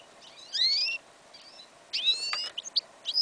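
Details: Goldfinch and yellow Isabella canary hybrid singing outdoors in a field in winter, January 2015. Its song is incomplete: a few bright, high, sweeping whistled notes, some rising, come in two short bursts with quiet gaps between.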